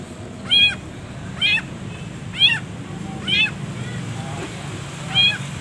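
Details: Long-tailed shrike recording meant to train caged birds, full of pauses: loud, grating, arched harmonic calls repeated every second or so, with a gap before the last, over a low hum.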